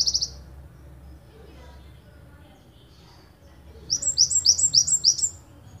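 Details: Java sparrow from Ponorogo, recorded as a master song for training birds. A brief high note opens, a long quiet pause follows, then a quick run of bright, sharp, repeated chirps in the 'tembakan panjang' style.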